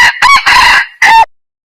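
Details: A yellow junglefowl delivers a crisp, loud crow: a brief opening note, a rising second syllable, a long rasping sustained phrase, and a closing note that drops away into silence.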